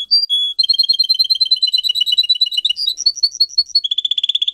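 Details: Canary in song: a couple of opening whistles, a long run of rapid doubled chirps, a phrase of higher whistled notes, and a closing quick trill.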